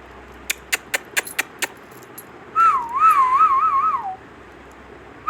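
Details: Indian ringneck parrot vocalising indoors: a run of sharp clicks, then a bright whistled phrase that wavers up and down in quick, even undulations for about one and a half seconds, ending with a short rising whistle.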